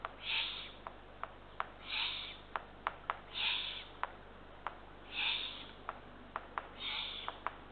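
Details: Eurasian eagle-owl at a nest in northern Estonia, around 00:31–00:52 am, 23 June 2023, as two small rodents are brought for chick #3: harsh, breathy hissing rasps, each about half a second, repeated roughly every 1.5 seconds, with sharp clicks between.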